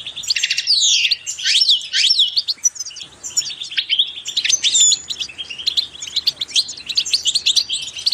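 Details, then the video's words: A goldfinch sings a fast, tinkling twitter of bright, liquid notes, with buzzy trills and quick rising and falling slurs running without pause; a recording meant to stimulate pet goldfinches to sing. "increasing the enthusiasm of the goldfinch to song"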